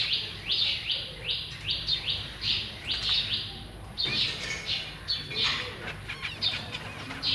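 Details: Zebra finch young with their parents in a cage, recorded 1 May 2023 as the adults feed them. Evenly spaced high falling chirps come first, then softer, more scattered chirps and clicks.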